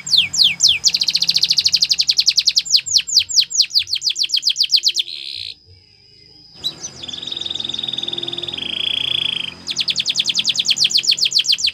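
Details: Canary training song: rapid high buzzy trills of upswept notes for about five seconds, a brief near-silent break, then a thin sustained whistle, a lower rolling tour, and a return to fast trilling.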